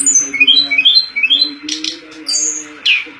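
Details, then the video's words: Pied fantail song recorded for training contest songbirds: sweet, sliding whistled notes around the upper range, short rising and falling phrases, over a steady low droning hum with a few harsher squeaks near the end. "Manis Kicauan TLEDEKAN"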